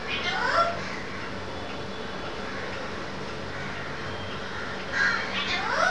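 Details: A 22-year-old male Alexandrine parakeet in his cage gives a harsh, nasal, human-toned "hello" twice, about four seconds apart, over a steady low room hum. It was recorded around 13:15 on the afternoon of 30 January 2014, from the next room.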